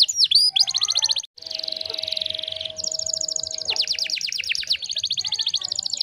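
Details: Canary song played to teach other canaries: a sharp opening note, a dense buzzy roll over a steady low tone, then bright rapid trills of falling sweeps.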